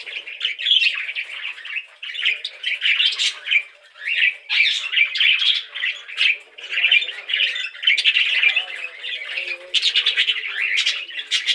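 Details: Several budgies chatter continuously, a dense run of squawky, warbled chirps pulsing in short bursts, with faint lower twittering beneath.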